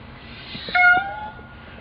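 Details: A male Indian peafowl performing the hoot-dash display gives a single short, clear hoot, a steady mid-pitched tone that lifts slightly at the end, over faint background noise.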